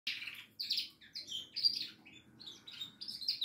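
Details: A goldfinch singing a varied, twittering song of short buzzy bursts and high thin notes, delivered in quick separate phrases.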